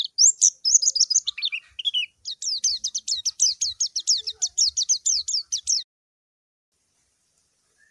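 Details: White-eye call aimed at a rival: a few wavering whistles, then a long even series of rapid, sharply descending high notes lasting several seconds before it stops into silence.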